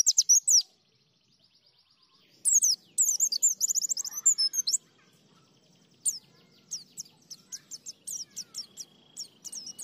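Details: Ngalas, nembak and ngriwik white-eye song in bursts: a brief high twitter, a silent gap, then dense fast chattering phrases, followed by scattered sharp high chirps.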